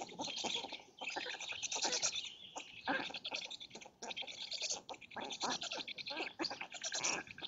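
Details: Black storks at a live-streamed nest in Lodz, Poland, early morning, 30 May 2017, during feeding when the male brings food for chicks and female. Continuous dense, wheezy, hissing chatter in rapid uneven bursts.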